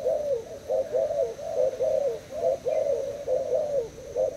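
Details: Caged spotted dove of Thai stock answering a decoy in a cooing duel, producing a steady chain of low, burred coo notes, each roughly half a second, with brief gaps between.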